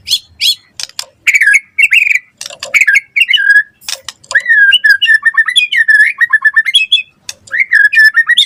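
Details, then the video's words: White-rumped shama in loud gacor song for luring and tutoring other shamas: sharp high chips, then varied whistled phrases with wavering, stuttered notes and rapid warbled runs, sounding rich and continuous. "Suara Murai Batu Gacor cepat RESPON NYAUT buat Pancingan Masteran Burung Murai Biar Gacor Full Isian"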